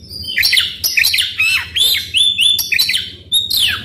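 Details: Continuous singing from an Oriental magpie-robin, used to coax other birds into song: fast run of loud whistled phrases, many sliding upward, with scratchy notes woven between them.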